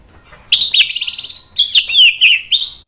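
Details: Lure song of a white-rumped shama to provoke other shamas to sing: a lively phrase of high buzzy trills followed by several loud, sweeping whistled notes in quick succession.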